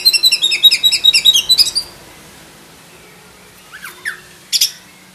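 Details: Black-breasted oriental magpie-robin with full isian song: a rapid series of high repeated chip notes, over two per second, for two seconds, then quiet before a few descending whistles and sharp chirps.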